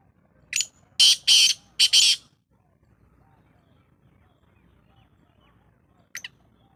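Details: Black francolin call heard at about 6:15 in the evening: a burst of four rasping, scratchy notes in quick succession, then near silence and one brief faint note near the end.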